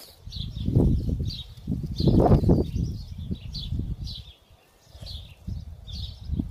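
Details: Three hungry superb fairywren chicks being fed by both parents, giving short high chirps repeated about four times a second in uneven bursts, over low rumbling background noise.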